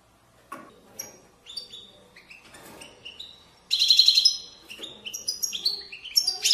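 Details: Goldfinch song in the Moroccan widani style: soft scattered chirps at first, then louder rapid trilling and sliding whistled notes.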